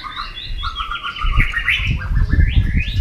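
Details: White-rumped shama in a singing contest, a run of clear whistled and slurred notes over a steady low rumble of background noise.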